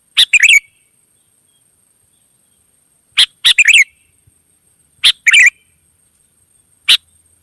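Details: Wild sooty-headed bulbuls answering one another: short bubbly chirping phrases, sometimes doubled, come at irregular gaps of about two to three seconds, with a faint steady high whine behind them.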